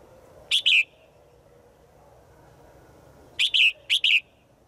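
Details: A female bird calling a male in the forest gives three short harsh double notes, the last two close together near the end.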